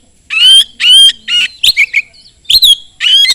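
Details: Fast, loud Oriental magpie-robin song used to provoke other magpie-robins into singing: strong, rasping whistled phrases, some rising then falling, delivered in rapid groups of two or three notes.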